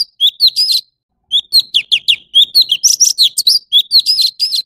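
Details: Brief burst of orange-bellied leafbird song, sweet rising and falling whistles interspersed with short rasping notes, a pause after the opening phrase, then a denser continuous run.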